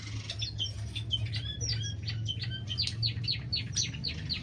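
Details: Several pet Bengalese (society) finches in an aviary give a steady stream of short, high chirps and squeaky notes, overlapping, over a low constant hum.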